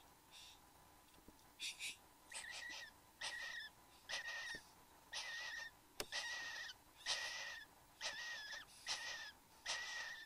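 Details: Satin bowerbird pair at the bower in Australia, 15 November 2014 at 9:05 am: a steady series of harsh, hissing, wheezy calls carrying a faint level whistle, about one per second with brief pauses.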